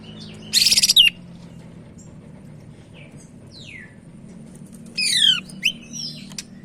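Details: Sumatran leafbird, Medan type, singing: a short dense buzzy rattle, faint scattered notes, then a cluster of descending buzzy sweeps and high whistles, over a low steady hum.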